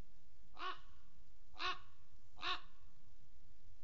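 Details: Common Raven at Rascafría, Spain, giving three harsh, hoarse croaks about one second apart, each short and rich in overtones, over a quiet background with faint low rumble.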